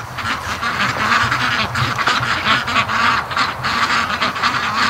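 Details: Flock of domestic ducks returning home at evening from a creek and lake after something spooked them; loud chorus of harsh quacks repeating in pulses, with water and wing noise behind.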